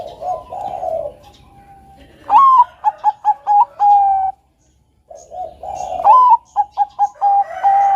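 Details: Bangkok zebra dove in energetic melodious song, a master recording for teaching doves: two loud phrases a few seconds apart, each a rising note, a run of short clipped coos and a drawn-out closing coo.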